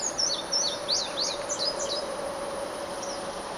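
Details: Indigo Bunting on the boardwalk near the pond at Ocmulgee National Monument, July 1, 2009, giving quick, high, sweeping notes in pairs for about two seconds, then a lone faint note, over a steady insect drone.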